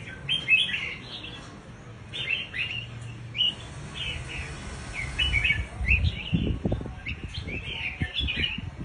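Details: A male scarlet-backed flowerpecker over six months old, recorded at 1:50 on Saturday 13 November, gives sharp, high chipping notes in quick repeated bursts over low thumping and rustling noise.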